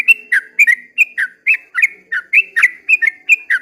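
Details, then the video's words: Dawn song of a sooty-headed bulbul in the long 'ropel' manner: quick bursts of clear, bending whistles, some doubled, pouring out in an irregular stream with soft humming underneath. "kicau suara trucukan ropel panjang di waktu fajar"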